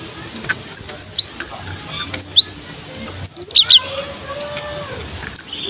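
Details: Lure song of a Cinereous tit for young birds of either sex: sharp high whistles spaced about a second apart, building to a quick group of four bright notes, with faint background murmur.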